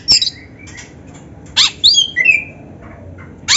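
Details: Black-breasted oriental magpie-robin in full training song laced with canary-like phrases, used to spur other birds to sing: short bursts of high whistles, buzzy notes and falling slurred phrases separated by brief pauses, over a low background hum.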